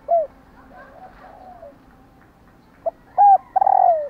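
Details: Hen spotted dove giving a calling sequence meant to prompt males to coo in reply: an opening coo, faint low murmurs, then short clipped notes and a long falling coo.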